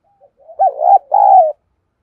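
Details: Spotted dove decoy calling in the 'thổ' voice to draw rivals: two faint lead-in notes, then a loud hooked coo sliding into a rolling phrase and a drawn-out, level, mellow final coo.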